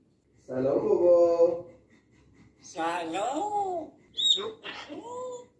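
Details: Talking grey parrot producing speech-like phrases: a drawn-out voiced syllable, a pause, then a longer rising-and-falling phrase, ending with clear whistled high tones mixed with short word-like sounds, recorded in a quiet small room.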